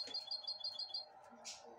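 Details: Goldfinch hybrid, hatched 2022, nibbling broccoli from a hand; a rapid string of six thin, high piping notes, then a rustle, with a Spanish-speaking man in the background.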